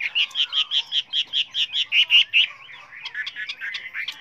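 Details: Chinese hwamei song of many voices, used to train other hwameis: a run of about a dozen loud, clipped notes repeated roughly four times a second, then a softer, faster jumble of twittering notes.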